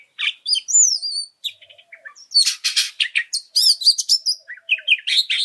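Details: Oriental magpie-robin song played to provoke and train other birds, opening with clear sweeping whistles followed by harsh buzzy bursts and rapid chirps.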